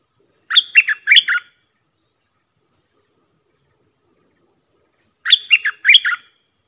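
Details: Sooty-headed bulbul song for training young and hand-fed bulbuls and luring wild birds. Two short warbled phrases of four or five quick notes, about five seconds apart, with silence between.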